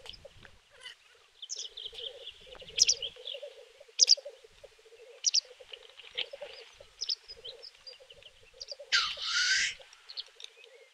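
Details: Black grouse lekking and fighting in snow at Kuusamo, May 2021. A continuous low bubbling rookoo rolls on, with scattered short chirps above and one long harsh hiss near the end.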